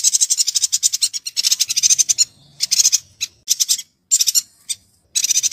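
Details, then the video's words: A yuhina sings in rapid bursts of high, thin chattering notes, several quick phrases separated by short pauses. This is a master recording for teaching white-rumped shama (magpie robin) song variations. "MASTERAN BURUNG YUHINA GACOR"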